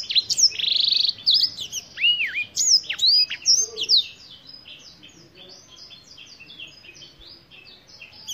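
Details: Black-throated canary, the African finch with a black tie-like throat mark, delivers loud swooping whistles and buzzy notes for several seconds, then fades into softer, rapid high twittering.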